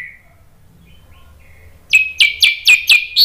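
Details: Orange-headed thrush singing as a lure meant to prompt birds to reply. After near silence, a run of about six loud, sharp, rising notes follows in quick, even succession to the end.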